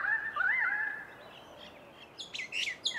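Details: Pied currawong (Strepera graculina) in Sydney giving a loud, ringing, wavering whistled call that rises and dips, then fades, followed by a few sharp high chirps from another bird.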